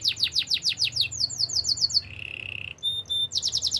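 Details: Canary song meant for training, delivered as rapid runs of sweeping high notes that shift into a steady buzzy trill, then clear whistled tones, ending in another fast repeated phrase.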